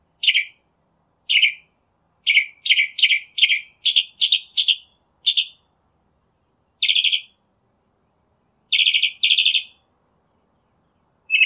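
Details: Wild Northern mockingbird song: a long series of short, harsh, chattering notes given singly and in rapid clusters of two to four, with irregular pauses between bursts.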